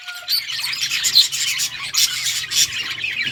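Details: Yellow budgerigars, Australian parrots, recorded August 6, 2024, giving a steady stream of high, scratchy chirps and chattering notes with brief louder bursts, several birds calling over one another.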